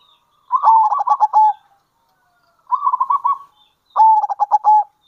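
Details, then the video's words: Local zebra dove calling in kerot and bekur style as a lure for wild zebra doves. Three bursts of fast, bubbling coos come about 1.5 seconds apart; the middle phrase is softer and more even. "Panggilan Perkutut Lokal !! Perkutut Lokal Kerot Gacor Dan Bekur Ampuh Untuk Pancingan Perkutut"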